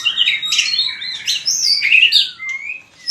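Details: White-rumped shama, fighting song for training: quick varied whistled phrases, then a clear rising slurred whistle and a soft upward note near the end.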